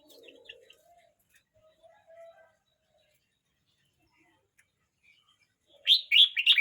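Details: A 12-month-29-day-old red-whiskered bulbul stays mostly quiet, with soft low murmurs and faint twitters at first, then bursts into a loud rapid warbled phrase of tumbling liquid notes at the end.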